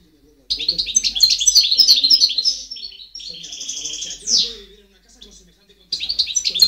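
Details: Goldfinch song from 2010, a lively run of high twittering notes and liquid trills with a short buzzy passage and one downward slur, while quiet human speech murmurs underneath.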